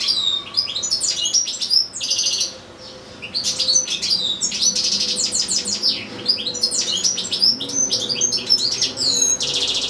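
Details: Caged goldfinch, sharing space with another goldfinch and two goldfinch-canary hybrids, pouring out a long recital: dense, nearly continuous high twittering with rapid chirps, buzzy trills and a short pause near the middle.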